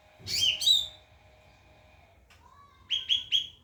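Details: White-rumped shama training song: a loud rolling slurred phrase, a pause with a soft low whistle, then three quick repeated rising notes, with a steady hum in the background.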